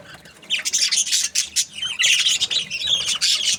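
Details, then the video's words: Budgies keep up a nonstop, high, raspy twittering after a quiet first half second, the chatter packed with squeaky notes and brief clicks. "Australian budgies parrot chirping sounds"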